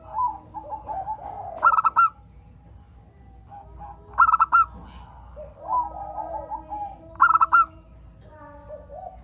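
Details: Local zebra dove song played to get other doves singing: spaced phrases of four rapid, ringing coo notes about every three seconds, alternating with quieter, warbling calls from other birds.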